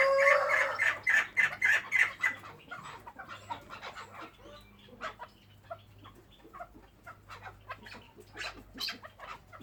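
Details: Captive chukar partridge with a loud burst of repeated harsh chuck notes in the first two seconds, followed by quieter scattered clucks and clicks.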